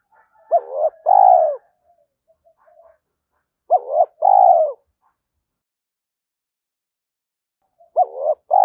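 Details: Spotted dove lure call in the 'thổ pha thúc' cooing style. Mellow, low hooting phrases, each a short rising note followed by a longer, fuller coo. The phrases repeat about every three and a half seconds against silence.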